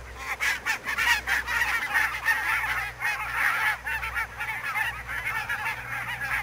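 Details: Barnacle geese in fog at Savonlinna's Niittylahti, Finland, 2 October 2011: a large flock gives continuous short barking honks, overlapping in a busy chatter with rhythmic louder surges, and a low steady rumble beneath.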